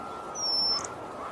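A brown-headed cowbird gives one thin, very high whistle lasting about half a second, ending in a brief higher note, over a steady faint hum.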